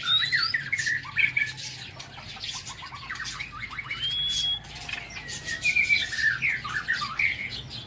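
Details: Aviary White-rumped shama singing at morning, giving chattering notes, a clear level whistle, then a quick trilled phrase and slurred warbles, amid flapping and tapping noises.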